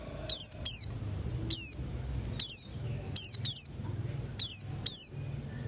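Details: Morning ngalas song of a Buxton's white-eye: high, thin, downward-slurred chips given singly or in quick doublets at uneven intervals, about once a second, with a soft low rumble in the background.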